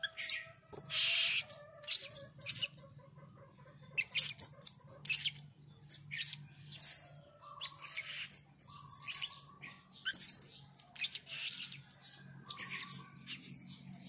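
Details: Energetic gocor calling from a 'rintik merah' blue-crowned hanging parrot, a fast run of piercing high tsit and chip notes, about one burst a second, over a low background hum and faint tonal whine.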